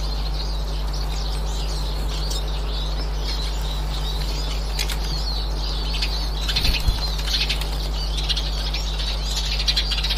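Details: Eurasian siskins (Spinus spinus) recorded 18 March 2024, giving flock calls: a thin, high, busy twittering of overlapping calls over a steady low hum, with a brief rustle near the end.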